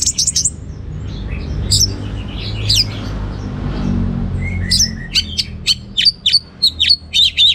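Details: 'Teler'-style singing from an orange-headed thrush: quick high chirps and slurred notes, a quieter stretch, then a regular series of short sharp whistled notes about every half second near the end, against a low hum.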